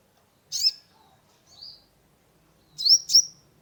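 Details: Caged sunbird, kolibri ninja, used as a lure for a stressed bird; a few sharp, high, down-slurred chirps with a softer thin note between, in near silence.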